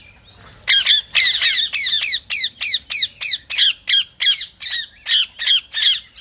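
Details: Rose-ringed parakeet calls played to stimulate other parrots to sing: a steady series of harsh, ringing squawks, each dropping in pitch, about three per second, with a faint low background hum.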